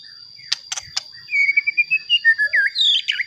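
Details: White-rumped shama song played to excite other shamas: a few sharp clicks, then a flowing sequence of clear whistled notes and rising slurs, over a steady high background tone.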